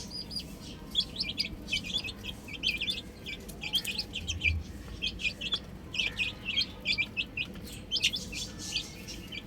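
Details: Several chicks on a roof give dense, overlapping high peeps, short downward-slurred notes in rapid clusters throughout, with a steady low background rumble.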